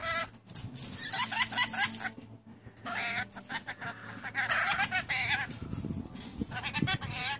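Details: Rainbow lorikeets recently taken in as pets, chattering and talking nearly nonstop: long raspy, wavering speech-like passages overlapping one another, with shrill squeals and a steady low hum underneath.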